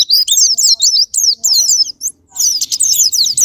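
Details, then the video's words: Japanese white-eye lure song to stir other birds into singing: choppy bursts of high, fast twittering separated by short silences, with faint lower murmuring sounds in the background. "Pancingan Super Gila Sparing Patner,ampuh buat pancingan Semua jenis burung pleci pemicu andernalin"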